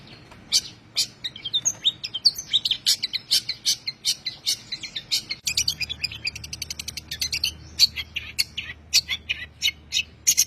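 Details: Songbird tutoring recording of a long-tailed shrike's tembakan song: mixed whistles and scratchy notes, then rapid clicking trills and sharp chips in quick succession over a faint low hum.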